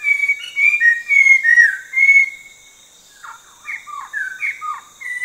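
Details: Orange-breasted laughingthrush of southern Vietnam's Langbian highlands, a scrub and forest-edge breeder, pouring out a fluent run of sliding whistles, then quieter lower varied notes after a pause, against a faint high hiss.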